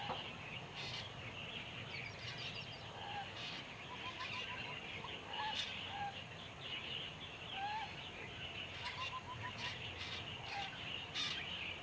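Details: Eurasian coot (Fulica atra) call recorded at Pingtung Biotech Park, Taiwan, where it is an uncommon winter visitor: short, sharp mid-pitched notes singly and in quick little runs over dense hissing background of other birds and waterside noise.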